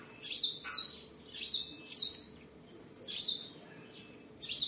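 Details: Tame seven-coloured sunbird in Tân Phú district, Vietnam, 23 July 2022, sings, dances and spars: a quick string of high, slurred chirps roughly every half second, one ending in a sharp level whistle, then a final chirp.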